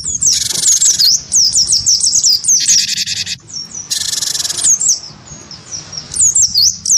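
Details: Cinereous tit of the wingko type, singing hard after being provoked into fighting calls by a white-eye; quick high whistled slurred notes run alongside loud, harsh buzzy bursts about a second long that stop and restart several times.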